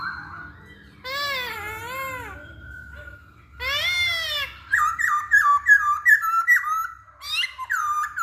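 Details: Masked laughingthrush singing as a lure for other birds: two long, rich wavering whistles rising and falling, then a rapid string of short upslurred whistled notes near the end.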